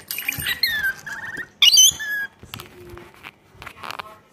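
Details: Lorikeet attacking its own reflection gives harsh, high screeches and shrill chattering squawks in quick bursts, with one loud piercing shriek partway through; close and indoors.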